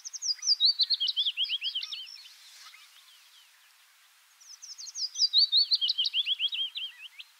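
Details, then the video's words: Willow warbler, a very common migrant in Palestine in early autumn (September) and late spring, wintering in Africa; two phrases of soft, sweet whistled notes cascading downward in pitch, each lasting about two seconds, separated by a quiet pause. "طائر نقشارة الصفصاف (تكتك) هازجة الصّفصاف الصُّغرى (معلومات وصوت الطائر)"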